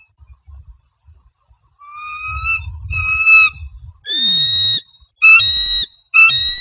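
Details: Bald eagles at Standley Lake, Colorado, 24 April 2020, 15:45, as the male delivers a fish to the new female F420, who eats it: bursts of high, thin, piping whistles about a second each, faint low rumbling between calls.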